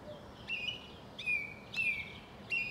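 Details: In South England, a song thrush repeats one clear whistled phrase four times, each a sharp upward flick followed by a level, slightly falling whistle, with short gaps between.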